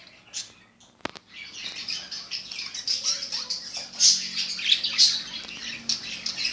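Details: Budgerigars, newly bought, giving squawky chirps and warbling chatter indoors, rising in volume after a sharp click near the start, with a faint low hum underneath.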